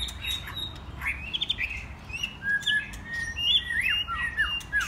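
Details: Young adult white-rumped shamas, mostly in first molt, having fun together: a jumble of clear whistles, slurred notes and quick chirps from several birds, some gliding downward, all over a low background hum.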